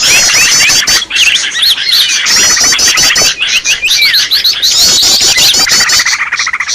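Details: Agitated Green leafbird calling as a bird lure: continuous shrill chatter mixing quick trills, clipped chirps and rising-falling whistled notes over nearly seven seconds.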